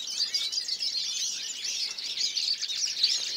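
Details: European goldfinches recorded in 2014: dense, continuous twittering of overlapping chirps and trills from several birds, bright and high-pitched, with no pauses and no other sounds.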